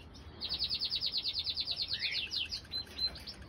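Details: Two common crossbill chicks, one and three days old, calling as the mother feeds them in April 2020; a fast, steady string of high ticking chirps, roughly three per second, ending in a few squeaks.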